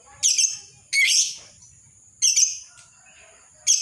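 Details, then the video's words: Lovebird ngekek chatter meant for training and luring other lovebirds: harsh, buzzy screeching bursts of about half a second, repeated irregularly with short pauses between them. "Awal dan Akhir Suara Lovebird Ini Tetap Ngekek Pas Buat Masteran Dan Pancingan Lovebird Apapun"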